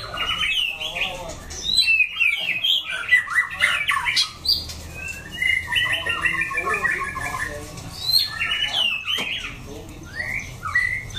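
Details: Orange-plumaged white-rumped shama singing in wild style: a rich, fast run of varied whistles, chattering phrases and sliding notes, with brief pauses between bursts and a faint low hum beneath.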